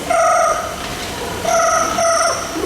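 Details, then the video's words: Talking parrot at a bird park in Singapore, imitating a telephone ringing: two bursts of steady electronic-sounding ringing tones, each about a second long, over a noisy background. "That's the sound of the telephone. By the way, Pao Pao here can also copy high-tech sounds, and that was the telephone."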